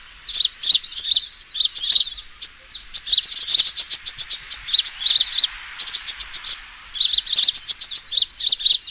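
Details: Sunbird fighting call used as a lure: long bouts of rapid, shrill chirping and trilled twitters broken by short gaps, high-pitched and insistent throughout.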